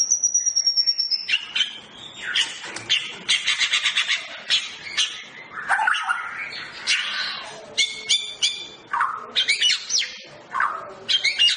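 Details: White-rumped shama of the Medan long-tailed type being paired for breeding: a high sustained whistle opens, then fast, rhythmic bursts of sharp chips and trills, with varied whistled notes repeating in loud pulses.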